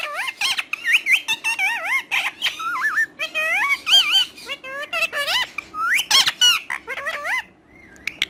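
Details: Talking parrot chattering nonstop in high, wavering tones, speech-like syllables with bending pitch strung together in rapid bursts, a short lull near the end, indoors.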